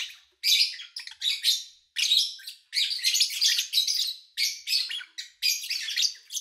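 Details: Lovebirds kept by an owner, recorded in August 2019 over three days from morning to evening: rapid, scratchy high chirps in tight overlapping bursts, broken by short pauses, with no other noise.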